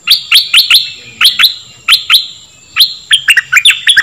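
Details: Dok taeng bird song, played to train young birds and rouse them: clear, sharp chirps given singly or in pairs at uneven intervals, ending in a faster run of notes, with a thin steady high tone.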